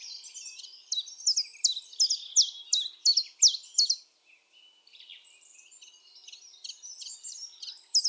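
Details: Common chiffchaff singing at Topbjerg near Mønsted on 5 April 2020: a series of high, sharply downslurred chip notes, about three per second, then fading into a busy background of other songbirds.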